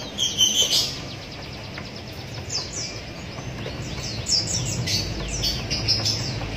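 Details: Hand-fed Javan munia chicks, fed by means of a reused straw, give rapid, high, thin chirps about three per second. The chirps grow denser later, over a low rumbling hum.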